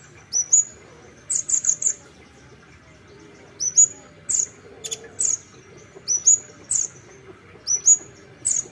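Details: High, thin olive-backed sunbird song: steady paired upslurred chirps with short bursts of quick buzzy notes and a few faint clicks, continuing throughout.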